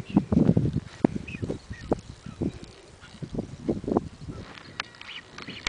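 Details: Blue-footed boobies on Isla de la Plata, during display dancing, give low, hoarse, honking grunts in quick irregular bursts, with a few faint thin whistles higher up.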